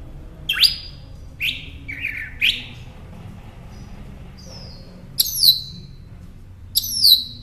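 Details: Mockingbird song, Northern species, used to train caged songbirds: widely spaced phrases of downslurred notes, a brief high whistle, then two bright chirped phrases about one and a half seconds apart.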